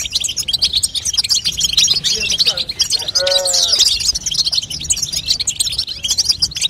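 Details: European goldfinch hen's babtaba, played to coax a young goldfinch into song: busy, high-pitched twittering throughout, interrupted just after three seconds by a short lower, tonal wavering sound.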